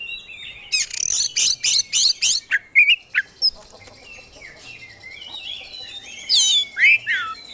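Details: Oriental magpie-robin in full contest-style song, showing off its fill-in repertoire: a rapid run of harsh buzzy bursts, then a few pure whistled slurs, a quiet pause, and a final flourish of high twittering and swooping notes.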